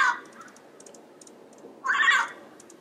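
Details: Yellow-headed parrot in its natural environment: a brief harsh squawk, a long pause with faint ticking, then a loud rasping squawk.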